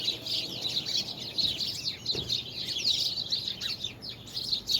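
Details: Many small birds singing together, recorded on February 24, 2020: a dense chorus of high, quick chirps and twitters with short sweeping notes overlapping continuously, with faint steady background hum beneath.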